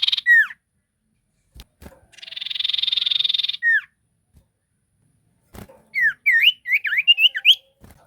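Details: Sirtu, an ashy tailorbird, in a lively lure song: clear downslurred whistles, a long buzzy rattling trill, a pause, then a quick series of bright rising and falling whistled notes.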